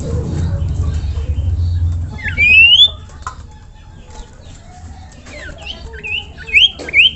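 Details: Common iora calling to draw other ioras into singing. Brief bright rising whistled notes come in two bursts, the first after low rumbling background noise, the second as a few quick upslurred notes near the end.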